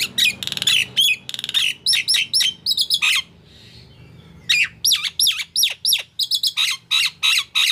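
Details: Nias hill myna singing actively: loud, varied run of harsh squawks, sharp whistles and downward-swooping notes, a brief pause near the middle, then more clipped whistled calls in quick succession.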